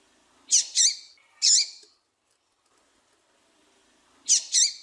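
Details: Female double-collared seedeater calling to stimulate males to sing: a rapid double note and a single one, then a silent gap, ending with another quick pair of high, wavering notes.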